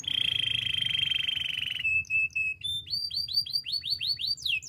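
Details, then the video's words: Spanish timbrado canary song used for training: a long metallic trill held near one pitch, then short clipped notes and a run of repeated falling whistled slurs, with faint low hum beneath. "Canary singing for training - Spanish timbrado song"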